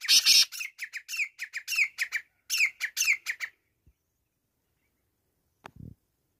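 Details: Black francolin, known locally as kala teetar, calling: a loud run of harsh, scratchy, clipped notes delivered rapidly for about three and a half seconds, followed by quiet and a faint low thump.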